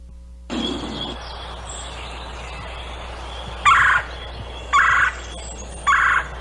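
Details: Red-bellied Woodpecker, played for comparison with the similar trilly gray tree frog call, gives three short, rolling, trilly mid-pitched churrs about a second apart after a brief low murmur; the species is infrequent in Muskoka.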